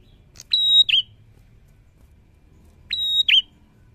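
A prinia gives two bright, high phrases about two and a half seconds apart, each a steady ringing whistle dropping into a quick slurred note. No other sounds.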